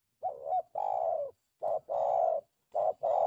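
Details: Spotted dove uttering a lively lure call used to attract and train doves: three paired phrases, each a short coo followed by a longer, steady, mid-pitched coo, repeated about every 1.3 seconds in a quiet setting.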